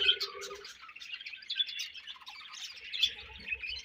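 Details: Budgies feeding and passing food give clear, bright chirps and scratchy warbles, a short buzzy note at the start and a few soft taps near the end.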